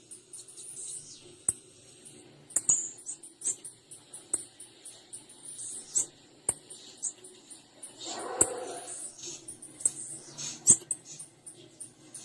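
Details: Female blue-black grassquit calling: thin, very high chips repeated irregularly through the recording, mixed with sharp dry clicks and a brief rustling burst near the middle.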